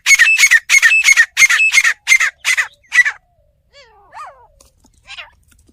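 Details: Partridge from a village, kept as a fighter, delivers a long, loud chain of rasping, ringing notes, slowing toward the end. Soft twittering of a smaller bird comes afterward.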